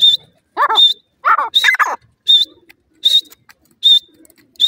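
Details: Grey francolin chicks, locally called bhuray teetar: short, sharp, high peeps repeated about once a second, mixed with lower, wavering, harmonic whining calls in between.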